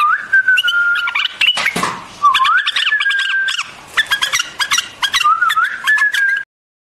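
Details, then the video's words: White-eared bulbul, also called white-cheeked or Iranian bulbul, singing: clear whistled phrases that rise and hold steady, broken by quick chattering notes and short repeated chips, with a brief noisy burst near the start. "Singing of White-Eared BULBUL, The beautiful sound of White-eared bulbul, صوت البلبل أبيض الأذنين"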